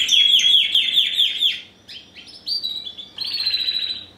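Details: A male-line first-generation cross of Spanish Timbrado and wild-type canary, bred in 2015, sings a fast series of high, ringing notes, about six per second, then buzzy rolls and a bright trill; quiet background.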